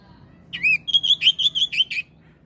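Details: Oriental magpie-robin song phrase: a swooping whistle, then roughly seven clear, loud, evenly paced whistled notes, sung cleanly over quiet background.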